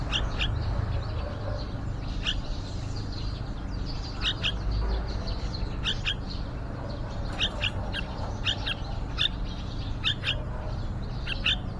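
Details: Yellow-vented bulbul nestlings, day 29 at a nest outside a window, the younger chick talkative and responding to the parents' singing: short, sharp high chirps, singly or in quick pairs, every second or so over a low rumble.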